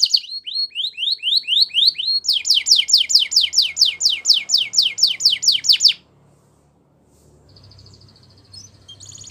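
Belgian canary song: a run of high, quick downslurred whistles, then a fast trill of repeated buzzy notes about four per second, ending abruptly before a quieter tail.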